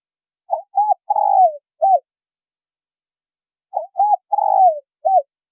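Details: Male and female spotted doves giving a call meant to excite newly caught birds. Mellow phrases repeat about every three seconds: two short coos, a long rolled coo dropping in pitch, and a clipped final coo, in clean silence.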